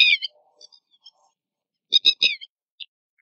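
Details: Red-wattled Lapwing, a very common, loud bird that is also heard at night and early morning. One sharp harsh note is followed by a quick burst of three shrill, strident notes, then a single shorter note.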